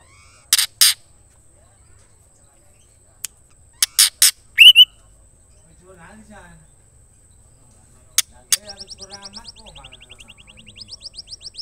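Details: A female white-rumped shama calls a male, with the call said to stir males to sing. Paired harsh chacks and a quick rising whistle repeat, then a long run of rapid high trilling notes with lower chattering underneath.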